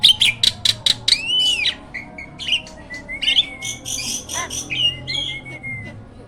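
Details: Hybrid myna used as a master bird for training other songbirds: a run of loud sharp chips repeated quickly, then a rising-falling whistle and scattered whistled and squeaky notes.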